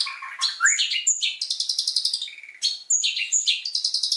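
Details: Long-tailed shrike training song full of mimicked fill. Lower chattering notes lead into bright high whistles, rapid trilled chirps and scratchy bursts in a lively, changing sequence.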